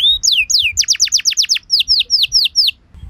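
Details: Canary singing a lure phrase to set other canaries singing: one thin whistle, then about a dozen loud, rapid downslurred notes repeated several times per second, ending in a brief silence.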